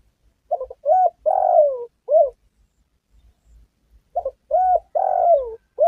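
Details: Spotted dove calling as a lure for trapping and hunting: two phrases of cooing notes around 600–800, a short stuttered note, a level coo, a long descending coo, then a final short coo, with a pause of about two seconds between phrases.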